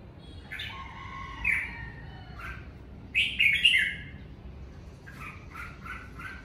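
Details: Red-whiskered bulbul singing at home during the Covid season: bright whistled phrases, some sliding and warbled, others short and clipped, given in bursts separated by brief pauses, over a low steady background hum.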